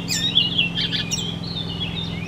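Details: Brief Icterine warbler phrase, a bird that copies other species: a quick jumble of squeaky, scratchy notes and thin whistles over a steady low hum.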